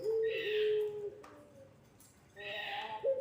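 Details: Pelung-type Barbary dove used as a lure to train young birds: a low, level coo that dips slightly and then fades, followed by a quiet gap, with hissy noise bursts and a fresh coo starting at the end.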